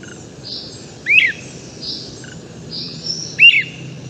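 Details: {'caption': 'Great crested flycatcher at the crack of dawn, starting its dawn song, recorded from right underneath: two loud whistled rip calls, each rising then dropping, separated by a soft, low trill of purring notes.'}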